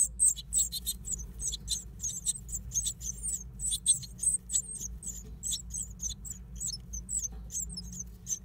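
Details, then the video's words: Great tit nesting in an old stove, producing a near-continuous series of rapid, high, squeaky notes several times per second, mixed with faint clicks over a low hum. "Great tit (parus major) nesting in an old stove"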